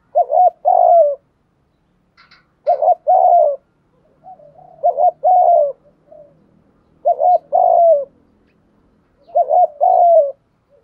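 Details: Spotted dove lure call used to attract other doves: low hooting coos, each phrase a quick double note then a longer falling coo, repeated about every two seconds, five phrases, with a brief faint chirp between.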